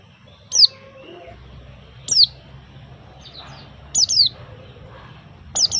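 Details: Chirping white-eye: crisp, high, falling notes, singly and in quick pairs, repeated every one to two seconds, with faint low background rumble.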